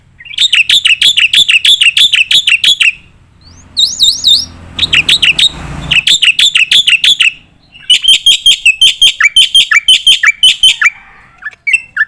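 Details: Black-winged myna training song for contest birds, in "gacor nembak" style with filler: bursts of rapid bright chirps, a wavering whistled passage, a short rush of noise, then more fast repeated notes.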